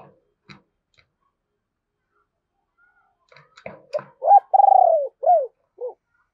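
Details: Low, husky coos of a spotted dove used as a decoy to lure wild doves: faint clicks and rustles first, then a phrase of short notes, a long throbbing descending coo and two downslurred endings.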